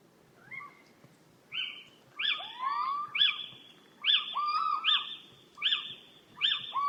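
Little Owls give sharp, yelping kiew notes that rise then drop, repeated about every second, with more than one bird overlapping.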